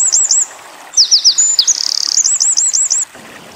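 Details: Eurasian wren in the 'tembakan' burst style, a tutor recording for white-eyes: a short spurt of high looping whistles, then a quick buzzy rattle and a run of repeated up-curling notes, about two seconds of sound.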